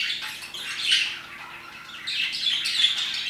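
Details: Parakeets chirping busily around 2pm: soft, high chirps bunch into two brighter bursts, one near the first second and a longer spell toward the end, over a steady faint hiss.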